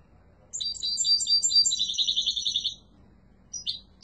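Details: Yellow mutation European goldfinch singing strongly: a rapid, high twittering phrase of bright chirps and trills lasting about two seconds, then a pause and two short separate chirps; faint low hum underneath.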